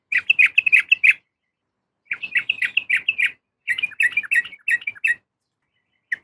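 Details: A female yellow-vented bulbul calls for a male in three lively bursts of fast, chattering, bubbly notes, ending with one short chirp.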